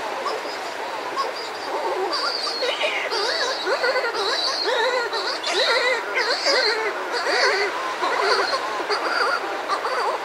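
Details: Close calls from a pair of Buller's shearwaters outside their burrow, with other birds nearby: dense overlapping moaning, wavering wails that rise and fall in quick loops, continuous through the clip, with faint surf in the background.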